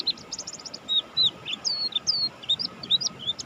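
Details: Mountain white-eye of the Buxtoni type, singing vigorously: quick high twittering with short whistled slurs and chirps, some sweeping up and down, in uneven bursts over a faint steady hum.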